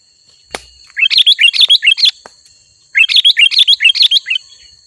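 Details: Sooty-headed bulbul in lively full song, used to lure wild bulbuls closer: two quick bursts of about eight bright, bubbly chirps, each burst lasting about a second and separated by a pause, over a faint steady background tone and one click.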